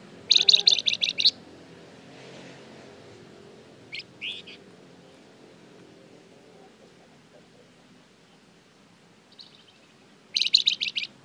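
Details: Lively Flamboyan song meant to lure other birds into replying: a fast burst of high, metallic chips, a brief pair of notes midway, then another rapid chipping burst near the end after a long quiet gap.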